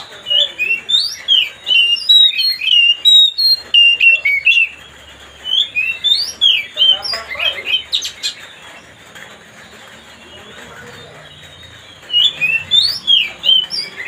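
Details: White-rumped shama singing to provoke another bird into an agitated response: rapid runs of high whistled and chirping phrases in bursts, a loud harsh note near the middle, a quiet pause, then chirping resumes.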